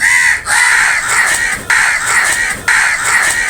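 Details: Crows fighting over food, calling loudly: harsh, overlapping caws in dense bursts that restart roughly once a second, forming a continuous noisy chorus with no pauses.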